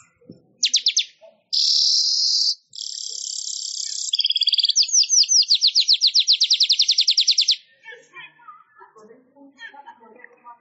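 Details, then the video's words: Weaver (manyar) song for training songbirds: a few short notes and two long, hissing buzzes, then a steady three-second series of sweeping, ticking notes, followed by faint scattered chirps. "Suara Ocehan Burung MANYAR Untuk Masteran Durasi Panjang"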